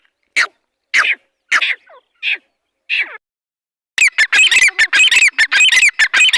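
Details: Dhakani teetar, a partridge, starting with five spaced rasping notes about every 0.6 seconds, then launching into a fast, loud, continuous series of harsh squawks.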